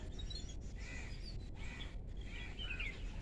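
Jungle babblers give harsh, squeaky chattering notes in short bursts about every half second, over a steady low rumble of background noise.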